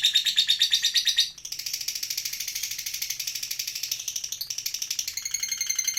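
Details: Moulting lovebird keeps up its ngekek chatter: a continuous, fast run of harsh, high pulses, about three per second, shifting pitch in several sections with brief breaks between them, with no other sounds.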